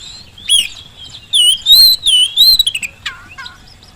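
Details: Lure song from a vigorous Oriental magpie-robin, aimed at stirring lazy birds to answer: a rich warbled phrase of looping whistles lasting over a second, ending in a few lower, falling chirps.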